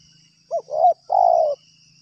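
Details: Spotted dove calling in response to a lure during bird-trapping, in two separate yards: a short rising note, then a slurred middle coo and a long, level, slightly falling final coo, all mid-pitched and clear over faint background hiss.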